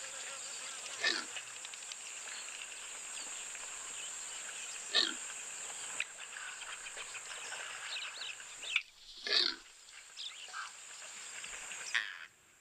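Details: A Kori bustard's call played back: four short, rough, grunting bursts spaced about three to four seconds apart, over a steady hiss.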